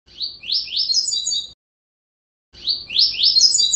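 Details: Fast, perfect Double-collared seedeater song for training a captive bird. Two phrases of quick upslurred chirps rise into a high, ringing flourish, separated by a one-second pause, with no other sounds.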